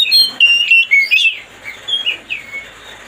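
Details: Oriental magpie-robin (kacer) baiting song meant to make a rival bird emotional: rapid loud whistled notes and rich warbles in the first second and a half, then quieter slurred whistles.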